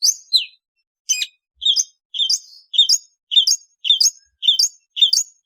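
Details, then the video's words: Long-tailed shrike repeating a clear two-part phrase, a lower note then a higher sharper note, about twice per second in a steady series. "เสียงนกอีเสือหัวดำ Lanius schash"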